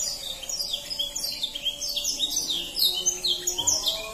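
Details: Canary song for prompting young canaries, high busy chirps and trills somewhat blurred and smeared together, growing louder and more distinct in the last second and a half, over faint background noise.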